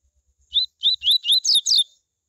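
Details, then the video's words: Coleiro in tui tui song, a strain for heating up other coleiros: after a few faint low taps, six loud whistled notes follow rapidly, early ones rising, later ones dropping with a buzzy edge, then silence. "COLEIRO tui tui A MELHOR CAMPEADA para ESQUENTAR COLEIROS"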